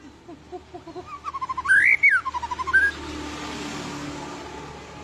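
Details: Provocative, emotional white-rumped shama song: a short phrase of quick notes swelling into a loud rising-and-falling whistle, then a few lower notes, followed by steady background hiss.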